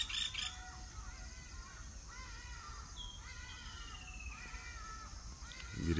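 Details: Distant ibis calls at a homestead in Uganda: short nasal arched notes repeated about once a second, with a thin falling whistle and low rumbling background noise.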